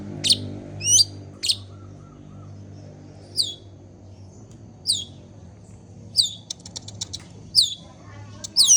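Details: Long-tailed shrike in lively song: sharp, high descending whistled strokes spaced about a second apart, with brief rapid chattering bursts near the end and a low steady hum underneath.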